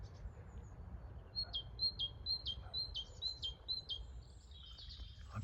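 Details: On a very cold late-January morning on the western slope of Cotwall End Valley, a great tit repeats a bright two-note 'teacher-teacher' phrase, high then dropping, about twice a second, over a low background rumble.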